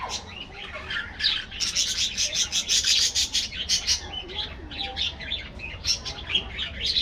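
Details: Budgerigars in an aviary colony, a dense chorus of high, scratchy chirps and warbles that builds after the first second into rapid, overlapping bursts, pulsing unevenly until the end.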